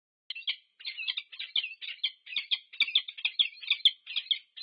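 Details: Peregrine falcons, a wild pair meeting at their nest on a UC Berkeley nest camera, USA, 2 November 2022. Loud, rapid rasping chatter of harsh notes, steady and nearly unbroken throughout.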